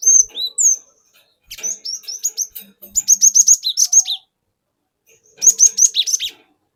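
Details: Cinereous tit of forest origin used as a lure to provoke other birds: fast rolling series of repeated high sharp whistled notes in three long bursts, with a few lone slurred whistles first.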